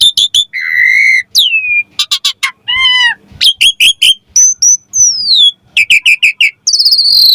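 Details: Lure song of a Javan pied starling, meant to coax and teach young starlings: a flat whistle, descending slides, harsh rattling notes, a nasal buzzy stretch, then quick chirp series and high falling whistles.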